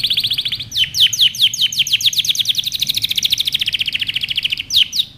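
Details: Loud canary training song: fast rolling trill, then a long even series of rapid descending notes, closing with two sharp sweeps.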